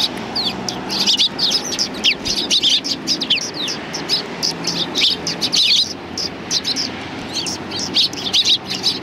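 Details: Feeding sparrows at a Tenmangu shrine approach, April 2020: lively chorus of short, sharp chirps and downward tweets repeated rapidly by many birds together.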